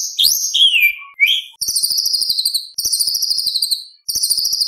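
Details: Actively singing white-rumped shama with mimicked contest material: a wavering whistled sweep falling to a lower glide, then three long high rattling trills separated by short gaps.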